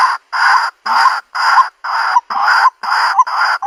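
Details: Luring calls of a white-breasted waterhen for a countryside bird trap: loud, long, harsh squawking notes, each about a third of a second, repeated roughly twice a second.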